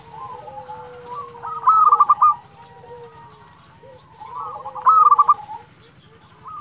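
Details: Zebra dove of local stock, a frequent singer, cooing to draw a reply from rival birds; two loud clipped phrases of quick knocking coos about three seconds apart over softer background doves and steady low hum.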